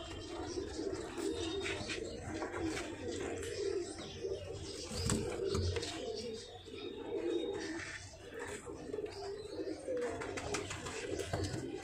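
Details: Pigeons kept for sale keep up a steady chorus of low, rolling coos, with occasional knocks and rustling in an indoor loft.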